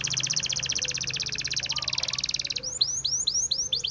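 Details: Canary song: a long, even, rapid trill of bright notes, then a switch to slower, loud upward-curving whistles repeated roughly three times a second.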